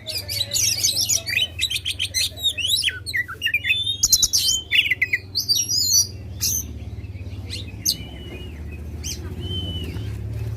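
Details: Oriental magpie-robin, contest bird in loud song meant to provoke rivals, delivering rapid mixed chatter, clear rising whistles and harsh notes, fading to sparse drawn-out whistles over a steady low hum.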